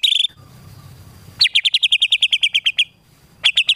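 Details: White-rumped shama (murai batu) training song, a masteran filled with tembakan bursts for contest birds: a short high buzzy note, a low hum, then a machine-gun run of about fourteen evenly spaced sharp notes, followed by a few more at the end.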